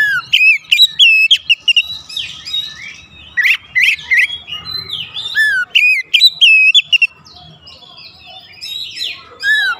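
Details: Excitement-raising lure of oriental magpie-robin song: loud, rich whistled phrases with swooping and rising notes and crisp clicks, packed closely for several seconds before easing into softer, scattered twitters.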